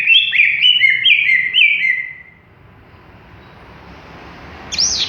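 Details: Greater green leafbird still short of full song: a quick string of bright whistled notes dropping in pitch for two seconds, a quiet gap with background hiss, then one arched whistle at the end.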